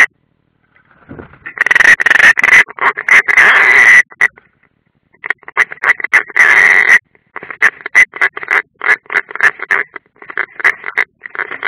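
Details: European roller, an unringed bird at the nest on a live nest camera, Ādaži training ground, 30 June 2016: dense bursts of harsh, rasping, crackling calls, nearly continuous, with short pauses and a longer grating note near the end.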